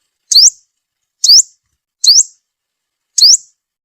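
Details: Sunbird call used to lure birds into traps: four sharp high upslurred notes, evenly spaced about a second apart, with clean silence between.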